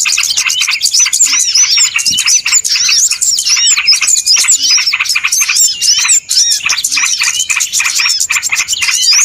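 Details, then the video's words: Crowded small-bird chatter from a lure recording for bird trapping: rapid repeated chips and curved whistles pulse steadily, many callers overlapping throughout. "SUARA PIKAT BURUNG RIBUT ANTI ZONK"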